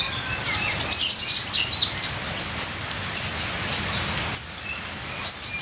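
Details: Ninja sunbird song of high, thin chirps and short twittering notes in bursts, with quiet gaps between, over a steady hiss like light rain.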